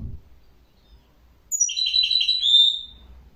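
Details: After a soft thump, a small bird delivers a lively string of high twittering notes that flows into a longer, clear whistled ending.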